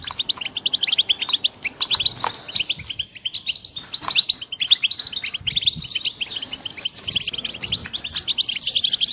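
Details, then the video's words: Young European goldfinches chirping in a rapid stream of thin, sharp notes, several birds overlapping, with stronger staccato runs early on and a buzzier, smeared stretch toward the end. "صوت فراخ الحسون"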